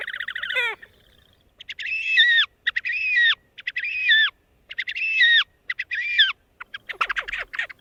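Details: Horned Grebe's raspy whinny braying call, heard as a descending trill followed by a string of short, harsh, buzzy braying bursts about one per second, each with a dropping tail, then scattered rougher notes.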